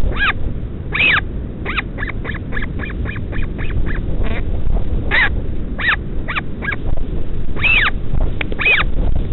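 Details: A northern royal albatross chick begs at midnight as a returning parent feeds it at the Pukekura/Taiaroa Head colony near Dunedin, New Zealand. It gives a rapid run of short, high, arched squeals, some bursts longer. A steady low rumble of wind runs beneath.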